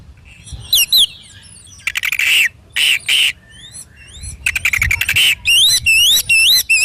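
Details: Lively kacer, the Oriental magpie-robin, used as a morning and evening training recording. It gives harsh grating bursts alternating with high looping whistles, finishing in a fast series of rising-falling whistled slurs.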